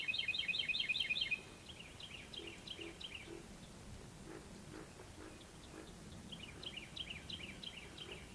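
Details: Two Carolina wrens calling back and forth, loud rapid rolling runs of repeated high notes, one near and one farther off; a cricket frog's soft clicks underneath.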